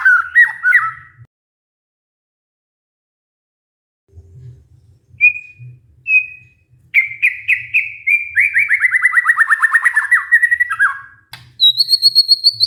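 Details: Murai batu (white-rumped shama) lure song meant to stimulate a stressed bird to sing: opening slurred phrases, a long quiet gap with faint low rumbling, two thin whistles, then a rapid descending string of chattering notes and a high buzzy trill.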